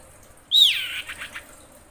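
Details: Female common iora in breeding condition calling to attract males: one loud, sharp whistle slurring steeply downward, followed by a few softer, buzzy trailing notes, against a quiet background.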